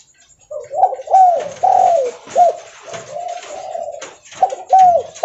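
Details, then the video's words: Spotted dove, Leopard variety, calling while on the move: a sequence of low, mellow coos, short notes followed by drawn-out ones, given in quick succession with brief pauses, faint rustling and clicks in the background. "Suara Derkuku Leopard Volume Besar Super Gacor Bunyi Sambil Jalan"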